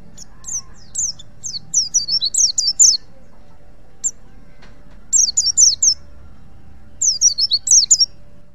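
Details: White-eye (pleci) of the Pacitan type, singing in the wild. Its song is used to train other caged birds. It gives three bursts of rapid, high, descending twittery chirps, separated by pauses of one to two seconds.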